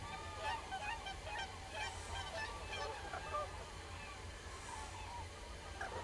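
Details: Flock of common cranes keeps up a dense, irregular stream of honking, trumpet-like calls, many voices overlapping throughout, over constant low-frequency background noise.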